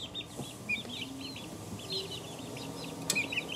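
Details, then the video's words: Chicks two weeks old calling in clear, high, arched peeps, several birds at once, with a sharp click near the end and a low background hum. "2 week old chicks"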